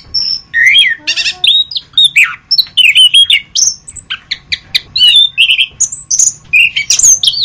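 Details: Orange-headed thrush singing loudly and close, a fast varied run of whistled slurs, sharp chips and rattling notes, rising and falling in quick phrases with brief gaps, over a faint low hum.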